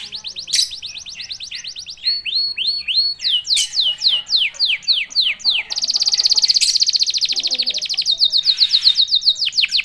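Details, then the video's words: Canary song used to provoke other canaries into singing: loud, fast, varied phrases of repeated sweeping high notes and rapid trills, each phrase changing every second or two, with a long buzzy trilled section near the end. "Jagonya memancing EMOSI kenari cepat bunyi."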